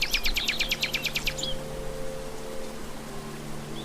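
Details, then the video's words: Common nightingale singing in the wild: a fast, even run of sharp repeated high notes lasting just over a second, then fading into steady low hum and background noise. "KICAUAN SIKATAN LONDO DI ALAM LIAR (Nightingale)"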